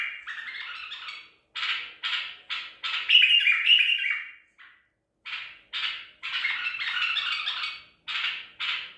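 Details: Trapped white-eared bulbul of the Baghdadi tor style, Medical City, 14 April 2021. It gives a dense sequence of harsh, chattering phrases, with one louder, brighter burst in the middle and a short pause near the end.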